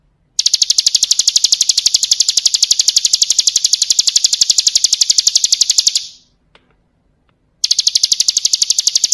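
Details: Bar-winged prinia (ciblek kristal) song made for training other birds: a long, steady, very fast run of piercing high ticks lasting nearly six seconds, a brief pause with faint clicks, then the same rapid run resuming.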